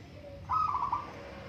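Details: A single trilled, bubbling coo phrase from a local zebra dove in a singing contest, rising briefly and then trailing off, over a low background hum.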